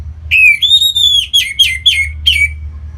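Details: Orange-headed thrush, a captive bird in northern Bali, singing to stimulate other birds: a pure, sustained rising whistle followed by a quick series of downslurred, richly harmonic notes, loud and clear.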